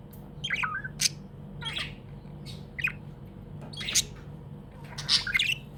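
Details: Happy budgerigar kept as a pet, making harsh scratchy chirps and sharp ticking notes, repeated roughly every second, with steady low hum behind.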